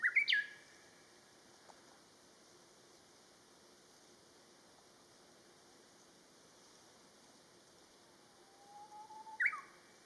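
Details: Japanese bush warbler song: two phrases, each a long steady whistle ending in a sharp rising-falling flourish, one at the start and one near the end, with a quiet pause between.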